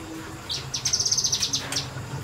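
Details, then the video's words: Kinoi bird singing in semi-wild conditions, a rapid burst of about fourteen sharp, high chipping notes packed into one second, with softer whistled notes before and after over faint low background hum. "BURUNG KINOI NEMBAK NEMBAK DI SEMI ALAM"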